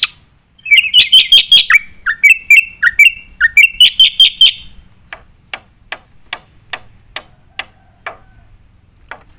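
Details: Black-winged myna singing loudly for tutoring competition birds: a burst of repeated shrill notes mixed with dropping whistles, followed by sparse sharp clicking notes spaced about half a second apart.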